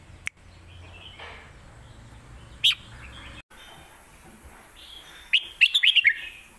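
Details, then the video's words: Red-whiskered bulbul in a cage in Thailand, performing southern-style lak wai and mae bot song. A lone sharp note comes early, then a rapid run of five or six clear, bouncy whistles closes the passage. "ที่เด็ดทั้งคู่"ลากหวายVSแม่บท(Bulbul bird Thailand)"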